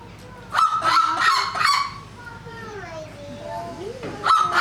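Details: A captive female seriema at a bird show warms up with small notes, then gives loud, harsh yelping notes in quick bursts of about three a second and a few falling notes before yelping again. South American farmers use this call to tell whether a predator is near livestock.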